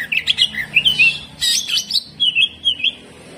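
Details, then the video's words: Greater green leafbird in rough 'tembakan kasar' song: jumbled high chattering and buzzy notes, one harsh broadband burst in the middle, then several short twisting whistled phrases. "CUCAK IJO GACOR HYPER TEMBAKAN KASAR"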